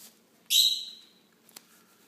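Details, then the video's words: Baby green-cheeked conures being hand-fed: one sharp, harsh, high-pitched chick call bursts out, then trails off into quiet with a faint click afterward. "Hand Feeding Baby Green Cheek Conures"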